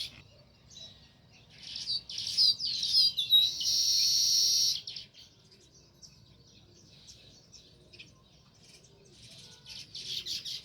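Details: Sparrow calling by its nest in rural village surroundings, a burst of fast chirps and a harsh sustained buzzing rattle, then quiet, then another bout of rapid twitters.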